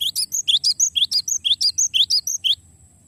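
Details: Glatik batu, or cinereous tit, delivering a long rolling phrase: loud, shrill, rapidly repeated high notes in a rhythmic two-note pattern for two and a half seconds, ending abruptly.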